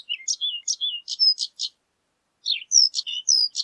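A horned lark sings a high, tinkling jumble of short chips and thin slurred notes in two quick bursts with a brief pause between.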